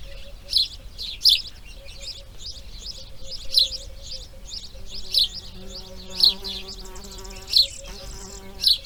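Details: Nesting grey heron pair during breeding, second day: bright clicking chirps recurring about once a second alongside soft low tonal hums and gentle background hiss.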